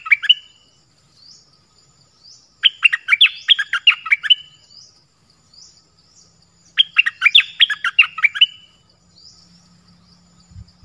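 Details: Dok Taeng bird repeating its song: three bursts of fast, sharp, tumbling chirps, each about two seconds long and spaced roughly four seconds apart, with soft faint notes between and a low rumble at the end.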